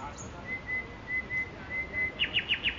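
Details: Nightingale singing in Makoui park: a long, steady, thin whistle held for over a second and a half, then four quick, evenly spaced, downslurred notes repeated at the end.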